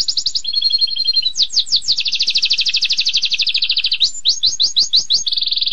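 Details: Canary singing a long, sharp "tembakan" song: loud, rapid, high rolling trills of repeated notes, switching between several trill types with brief upward-sweeping notes between them, continuous throughout.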